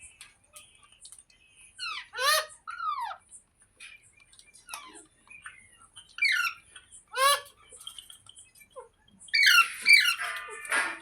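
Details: Green parrot vocalizing: repeated arching, harmonic squawks in pairs, loud bursts about every few seconds, with quieter chirps and clicks between and a dense, rasping outburst near the end.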